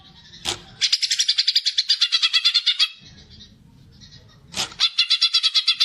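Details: A greater green leafbird delivers its fighting gacor song, used to spur other birds on in group training or for young birds. A sharp note, then a long rattling string of high, evenly pulsed notes, a pause, and another run.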